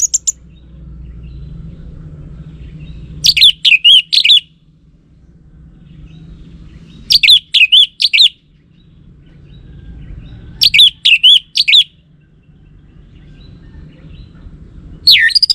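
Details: Orange-headed thrush lure song from North Bali, played so a male will answer: short bursts of bright whistled, wavering notes repeated roughly every three to four seconds over a low steady hum.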